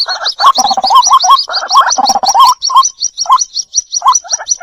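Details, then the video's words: Waterhen chicks (white-breasted) call their mother in a lure recording: a steady train of high, thin chirps runs throughout over lower gurgling, rising notes that thin out toward the end. "SUARA PIKAT BURUNG RUAK RUAK //SUARA ANAKKAN MEMANGGIL INDUK!!"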